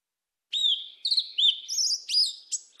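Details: A Yellow-legged Thrush sings a southern wild-type song: a quick run of clear, varied whistled phrases, some slurred and some broken into thin, high squeaky notes. No other sounds are heard.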